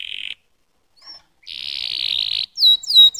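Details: Canary singing: a short buzzy roll, a brief pause with a faint slurred note, then a longer dense rattling trill lasting about a second, ending in loud clear whistled notes with sharp up-and-down slurs.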